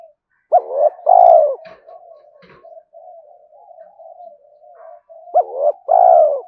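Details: Spotted dove cooing, used to stimulate other doves: loud low hooting coos in short bursts at the start and end, with a softer, steady murmuring coo in between.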